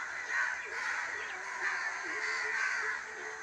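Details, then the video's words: Evening crow calls in a village, a steady noisy mass of rough caws from many birds blending together without clear gaps. "sound of birds #crow"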